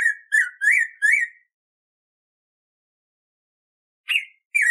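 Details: Black-throated grosbeak, called pimentão, singing a training song for captive birds: four quick ringing whistles that rise and fall, a long silent gap of over two seconds, then two more whistles starting the next phrase. The background is clean.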